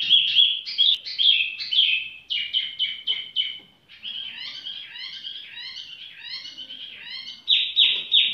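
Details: Tiểu mi bird singing at leisure, with fast trilled and chirped phrases, runs of repeated rising notes, and a loud buzzy burst near the end.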